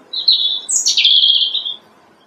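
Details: Robin singing on a branch in early spring, in March: one clear, high, sweet phrase of about one and a half seconds, a thin whistle sliding into a rich, warbling flourish, with quiet surroundings.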